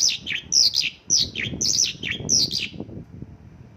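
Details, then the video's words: Mongolian lark singing its local-filled song, a quick series of high chirps and downward slurs over a steady low rumbling background, fading out in the last second. "Mongolian lark isian lokalan"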